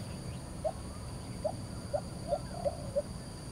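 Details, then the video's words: In Singapore, a lesser coucal gives a series of six deep, hollow hoots that come faster as they go, over a low rumble and a faint steady high hum. "Songs of lesser Coucal"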